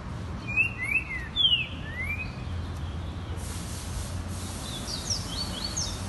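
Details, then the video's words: Green-winged saltator singing in nature on 1 December: a few clear, slurred whistles rising and falling over two seconds, then fainter high notes, over a steady low rumble of distant traffic. "TRINCA CANTANDO NA NATUREZA"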